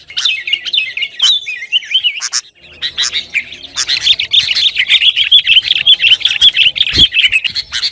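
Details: Sooty-headed bulbul in noisy song used to make kept birds sing and provoke rivals: continuous rapid chirping and twittering notes, a brief lull near two and a half seconds, then denser chatter.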